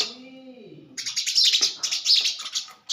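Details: A sparrow in the Thar desert, apparently fighting its own reflection in a mirror, gives a rapid burst of harsh, high chirps, several per second, after a brief low murmur at the start.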